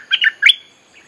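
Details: Bulbul lure song for calling wild birds and teaching young ones: one brief phrase of three slurred, bubbly notes, the last rising and sharper.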